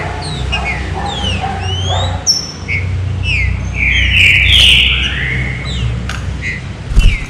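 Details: Fine 'serrinha' song of a green-winged saltator, meant to warm up other saltators: scattered sharp slurred whistles, then a loud, full whistled phrase near the middle, with a persistent low droning hum beneath.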